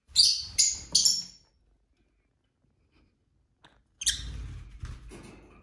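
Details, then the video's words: Pet lovebirds squabbling and chirping at home: three quick, harsh high chirps about half a second apart, a silent pause, then a burst of scratchy chatter mixed with rustling. "Lovebird Craziness (singing & chirping & fighting sounds)"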